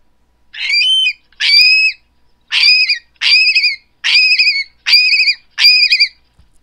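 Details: A Long-billed Curlew's alarm call, given when communally defending an area against ravens: seven harsh, ringing, slightly wavering notes, each about half a second long, in a steady series.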